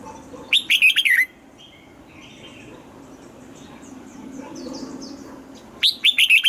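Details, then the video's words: A red-whiskered bulbul gives morning song meant for voice training, 'âm kép già rừng' double notes: a loud burst of five lilting whistled notes, a long quiet gap with faint distant chirps, then another phrase starting at the end. "Luyện giọng cho chào mào hót sáng, ép chào mào hót âm kép già rừng hay tuyệt!"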